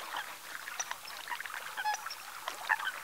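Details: Eurasian coot at Ses Salines de Mongofre, Menorca, on 6 February 2020 at 9:00, giving a few short, sharp, nasal notes amid constant splashing and busy water noise.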